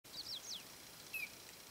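Collared Crescentchest giving a few quick, high descending notes, then a short thin whistle a moment later; a faint hiss runs underneath.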